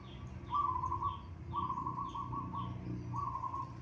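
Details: Local Indonesian zebra dove singing a series of soft trilled cooing phrases at a steady mid pitch, each about half a second long and repeated roughly every second, over a low background hum.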